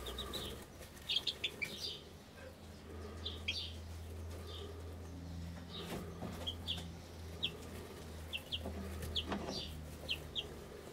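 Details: Golden pheasant chicks in brooders, a red golden pheasant chick alongside a two-month-old Mille Fleur chick and two newborn yellow golden pheasant chicks, June 2010: scattered short high peeps, sometimes paired, over a low steady hum and soft rustling.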